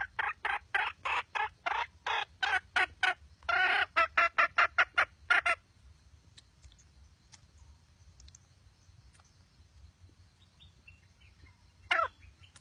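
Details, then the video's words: Red junglefowl hen gives a run of about fifteen harsh, broadband cackling notes in quick succession for five seconds, then falls quiet except for one short final note; faint low background hum. "Suab poj qaib qus seev zoo"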